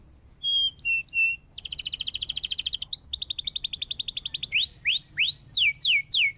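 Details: Canary in full song, used as a master recording to prompt silent canaries to sing. A few separate whistles lead into two rapid, buzzy, rattling trills. Looping rising and falling sweeps follow, repeated about three times a second.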